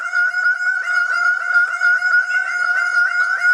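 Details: Dancing bird-of-paradise giving a continuous run of loud, nasal, honking notes at a steady pitch, rapidly repeated about three or four times per second with no pause, ringing and rich in overtones.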